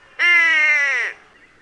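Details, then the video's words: White-bellied Go-away-bird, found in small groups in arid savannah and woodland, uttering a single drawn-out nasal call, loud and steady for about a second before dropping away at the end. "The calls include a series of grumpy yelps and the classic nasal go away call."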